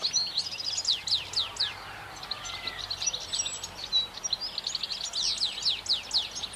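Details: Rapid, liquid twittering song of a European goldfinch: dense runs of high, downward-swept chirps and brief buzzy notes, delivered nearly twice a second, continuous and bright against soft environmental noise.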